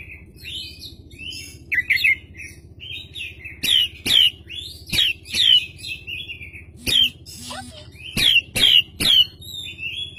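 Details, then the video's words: Oriental magpie-robin (kacer), a lively singing bird, delivering sharp, loud downward-sweeping whistled notes repeated at irregular intervals, mixed with softer chirps and twitters; constant low hum in the background. "PANCINGAN KACER GACOR Buka Ekor"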